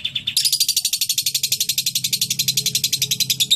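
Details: Lovebird singing a song with cililin-style filler, praised as clear: a fast, steady high-pitched trill of sharp chirps, about four per second, running unbroken after a short opening note, with a faint low hum beneath.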